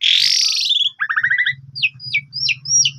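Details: Asian pied starling song used as a lure for other birds; a long harsh buzzy note, a fast stutter of ringing notes, then four brief high rising whistles at about even spacing over a low hum.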